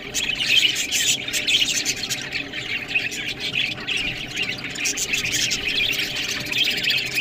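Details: Several budgies chatter while eating green food, a continuous mesh of high chirps, squawks and warbled notes, with sharp clicks and little variation in loudness.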